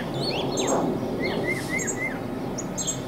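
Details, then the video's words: Northern mockingbird, a male singing from a mesquite treetop in central Arizona, gives four matching rising-falling whistled notes in a row with a few higher chirps around them, partly masked by broad low rumbling noise. "Listen to the Mockingbird"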